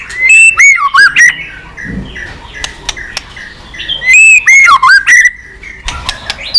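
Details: White-rumped shama, excited and many-voiced, used in bird training: loud rolling whistled phrases with dips and rises, scattered sharp clicks in between, repeated twice.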